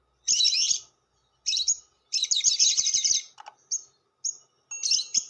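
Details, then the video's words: Lovebird long chatter ('ngekek panjang') played as a lure to attract other lovebirds: dense, buzzy, rapid chattering bursts of about half a second to a second, separated by short gaps, with a few brief high chirps between them. "SUARA PIKAT BURUNG LOVEBIRD"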